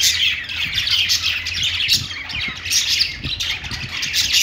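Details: Budgerigars in a pet store, harsh squawks mixed with fast high chirps in a constant overlapping chatter, plus soft low taps beneath.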